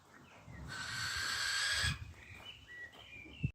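A female Barn Owl gives one long, harsh, hissing screech lasting about a second, followed by faint thin whistles from other birds in the background.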